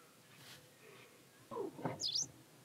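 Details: Hybrid pied wagtail at Klokbekerweg, Ottoland, on 4 May 2020: a short, sharp, high two-part call near the end, preceded by a lower, rougher falling sound of unclear origin.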